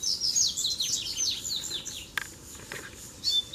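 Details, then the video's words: Double-collared seedeaters fighting in a song duel after three came to a lure bird together. Continuous fast high twittering for two seconds, a sharp clack, then a brief quieter phrase. "VEIO 3 COLEIROS BRIGAR DE UMA VEZ SÓ DUELO DE FIBRA!!!"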